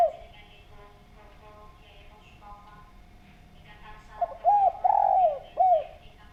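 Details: Spotted dove calling persistently, a recording meant as a lure for other doves. After several seconds of faint background murmur, a clear phrase of low hooted coos follows: a short note, an arched coo, a longer drawn-out coo, then another arched coo.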